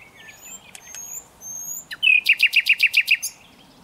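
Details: Common nightingale in song, a rising whistle followed by a fast run of about eight loud, evenly spaced chipping notes, with faint high whistles earlier.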